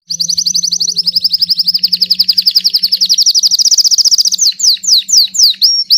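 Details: Belgian king canary singing non-stop: a long, fast, even trill of high pulsed notes, close to four per second. Near the end it breaks into sweeping downslurred notes. A faint low steady hum runs underneath.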